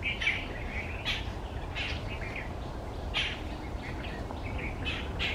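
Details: White-browed bulbul, one of a pair seen at the start of the monsoon season eating berries; sharp chirps roughly every second interleaved with softer warbled notes, low background hum throughout.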